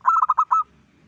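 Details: Local zebra dove singing actively as a lure for other zebra doves: a short burst of rapid, rolling coo notes finishing with a sustained coo, then quiet low background noise.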